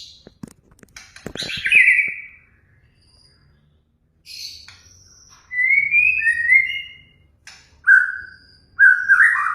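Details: Song of a white-rumped shama, used to provoke other birds to sing: a scratchy, high chirped opening, a pause, then sliding whistled phrases and loud fluting notes near the end.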